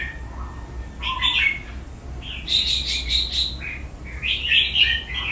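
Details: Red-whiskered bulbul kept as a cage bird, singing in the playful counted-phrase training style: rich, bubbling whistled phrases over a steady low background hum, with a softer lower note near the start.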